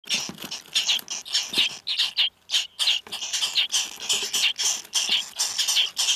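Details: Young purple martins in Walworth County, Wisconsin, on 11 July 2011, recorded during nest box monitoring, give raspy, high chattering bursts several times a second, with overlapping voices that rise and fall continuously.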